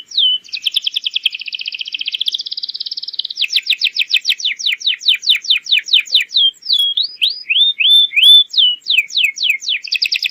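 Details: Lure song of a canary for training young birds to answer and sing fast: opening rapid buzzy trill, then long series of quick downward sweeps, a few rising whistles and another fast sweep series.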